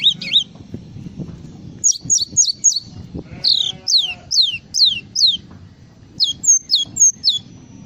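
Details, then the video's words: Java sparrow delivering a full filler song in separated bursts of high, sharply falling slurred notes, groups of three to five, with brief pauses and a faint low background murmur. "SUARA BURUNG GLATIK FULL ISIAN"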